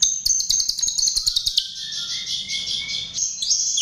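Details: Chestnut-tailed starling lure recording: rapid high chirps at first, then a thin whistled note climbing step by step, over a steady shrill high buzz throughout.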